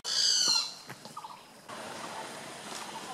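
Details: Great barbet (Psilopogon virens) calling at Phanoen Thung camp, Kaeng Krachan National Park, Phetchaburi, Thailand, on 6 April 2014: one loud, harsh, harmonic-rich note lasting about half a second, followed by faint short notes and steady background hiss.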